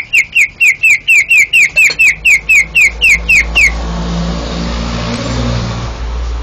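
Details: Rapid series of about fourteen loud, slurred whistles, roughly four per second, from a first-place competition greater green leafbird in Banten, Indonesia, ending abruptly and leaving steady low engine-like hum.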